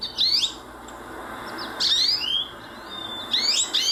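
A goldfinch gives three bursts of high, bright twittering with quick rising and falling sweeps, about a second and a half apart, over a faint steady hiss.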